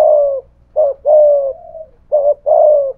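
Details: Low, hollow cooing of a spotted dove, a thổ-voiced decoy with thúc gù calls facing off against a wild dove; a long coo, then two short-long pairs within three seconds.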